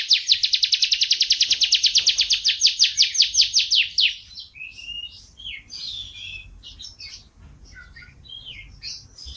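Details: Canary song in the long dense roll style, 2014: about four seconds of rapid, even buzzy trill, followed by quieter scattered chirps and short twittering phrases.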